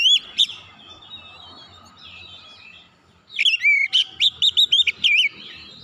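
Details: Oriental magpie-robin, loud whistles at the start, soft warbling, then a fast run of about eight sharp, shrill notes rising and dropping in pitch.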